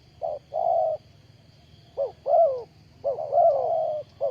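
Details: Ground decoy spotted dove kept for bird trapping, recorded 20 April 2020, cooing in short hollow notes and longer drawn-out phrases, some overlapping, over a steady low hum and faint high whine.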